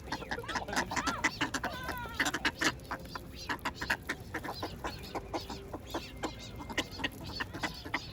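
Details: Ducks being fed bread, giving a busy stream of short, overlapping clucking and quacking notes, some with rising and falling nasal tones, in quick irregular bursts.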